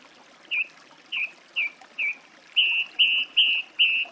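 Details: Song thrush song: a short whistled note repeated four times, then a longer, flatter note also repeated four times, each motif delivered in quick, regular succession.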